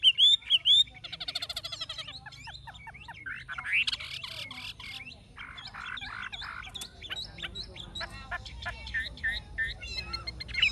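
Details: Caged Chinese hwamei, an older bird caught in the wild, singing in forest style. A few loud looping whistles open, followed by a varied jumble of rapid chattering, buzzy and trilled notes that become softer, over low background hum.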